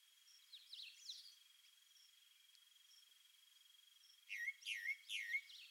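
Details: Squirrel cuckoo (Piaya cayana), free-living in the wild while drinking, giving three sharp, high downward-sweeping notes about a third of a second apart after faint softer chirps, over a steady high insect whine; call.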